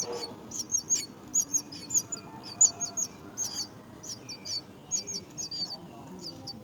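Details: High-pitched chirping from a myna nest during care of the young: short, squeaky notes come in uneven bursts over a soft low background hum, with a few fainter mid-pitched tones.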